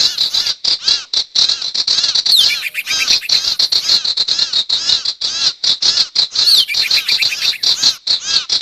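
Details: Sirtu lure sound for trapping wild birds: continuous rapid high chirping with layered arched notes and a couple of swooping whistles.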